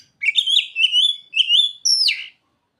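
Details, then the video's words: Oriental magpie-robin with mimicked ciblek and sogon material, giving three loud whistled phrases that waver and climb, ended by one high note sweeping sharply downward. "Kacer isian burung ciblek dan sogon"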